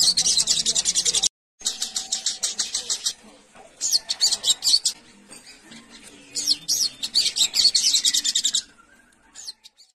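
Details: A sooty-headed bulbul calling to its companions gives bursts of rapid, bubbly high chattering notes, repeated in several runs with short pauses between them.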